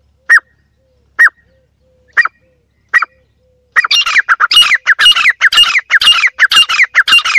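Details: Partridge calling: four sharp, single notes about a second apart, then a dense, fast run of harsh, rasping repeated notes that fills the rest of the recording.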